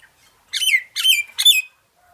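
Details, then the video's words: Myna singing: three harsh, squawky bursts, each a cluster of chattering, buzzy notes with a gliding tail, spaced about half a second apart in a quiet room. "myna bird song / myna bird sound /mynah bird singing"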